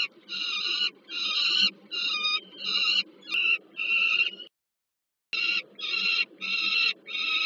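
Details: Young and adult peregrine falcons at a Warsaw power-plant nest in Poland, 15 August 2022, during a food delivery to a youngster. A series of rasping, strongly harmonic cries repeats almost every second, broken by one brief silence.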